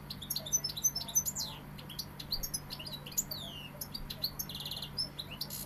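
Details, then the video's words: Sevillian European goldfinch delivering bright chirps and quick liquid twitters, with sweeping downward notes and a short dry buzzy trill near the end; a constant low hum runs beneath. "Jilguero sevillano"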